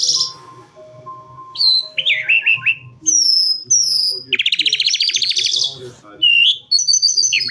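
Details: Calandra lark singing a varied, mimic-like medley: high whistled slurs, scratchy falling notes, sharp high chips, a dense buzzy rattling passage, then more bright whistled phrases, with a faint low hum underneath.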